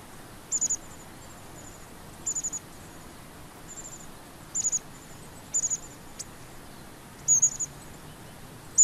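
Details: Long-tailed tit giving very high, thin trilled calls in short bursts, often two or three notes together, repeated at irregular intervals over a faint steady background hiss.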